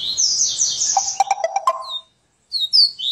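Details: A coleiro singing in the "serra elétrica" type with a dense high trill. A lower, clicking stutter follows, then brief silence before more sharp high notes.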